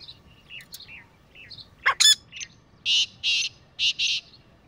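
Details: Grey francolin pair calling in a village setting: a short harsh broadband burst followed by loud clipped high-pitched notes in quick pairs, with faint chirps of other small birds.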